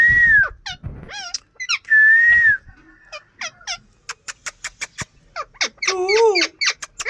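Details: Indian ring-necked parakeet alternating long clear whistles that rise and fall with short squawks, then a run of sharp clicking taps and a final burst of harsh, wavering screeches.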